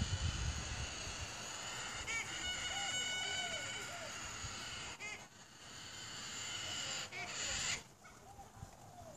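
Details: Galah in Adelaide, Australia, defending its nest against another galah, giving a piercing, eerie squawk: a sustained, harsh, harmonic-rich screech with short breaks near five and eight seconds, over a low rumbling background.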